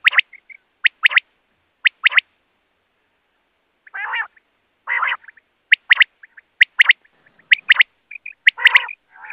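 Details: Quail uttering sparse, sharp, clicking high notes in pairs and small groups, broken by two harsher, lower grating bursts, in an otherwise quiet recording.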